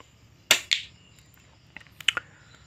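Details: Swiftlet lure recording, a stereo Sriwijaya call sound for swiftlet farmers: two sharp broadband clicks, then a cluster of quick high chirps and clicks over a faint steady hiss.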